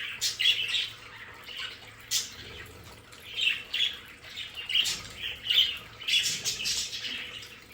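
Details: Budgerigars kept as pets in a home play area give harsh, high squawks and chirps in irregular clusters, with a faint low hum underneath.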